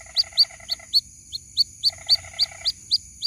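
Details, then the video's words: A white-breasted waterhen chick calls for its mother with regular, loud, upward-hooked peeps about four per second. Two stretches of a low, buzzy pulsed chatter run beneath them, with a constant faint high whine. "SUARA ASLI PIKAT ANAK BURUNG RUAK RUAK MEMANGGIL INDUKNYA"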